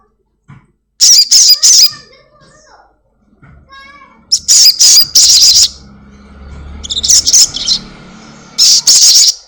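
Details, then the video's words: Black-winged myna kept at home, sounding to lure a caged bird into singing: repeated clusters of harsh, rasping squawks separated by quieter stretches holding faint whistles and low background murmuring. "Sogon gacor || Pancingan sogon rumahan agar cepat bunyi"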